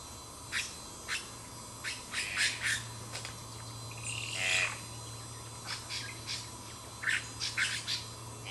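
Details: Magpie tanager (Cissops leveriana) recorded 12 July 2008, giving harsh, scratchy call notes in loose bursts, several per second at times, over a steady low hum and faint insect buzz.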